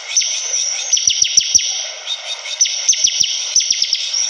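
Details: Bar-winged prinia delivering two bursts of rapid, sharp descending notes separated by a short pause, with a constant high-pitched drone in the background.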